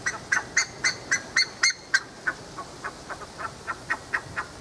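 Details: Buff-necked ibis, a wild pasture bird, at Tupi Paulista, São Paulo, Brazil. Harsh, nasal, honking notes repeat about four times a second, loud at first, then fading into softer, more distant answering notes.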